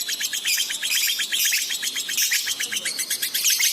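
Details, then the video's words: Lovebird song from a masteran recording for training pet birds: dense, shrill chattering made of rapid high chirps packed tightly together, continuous and energetic throughout. "masteran love bird gacor cepat respon emosi memuncak"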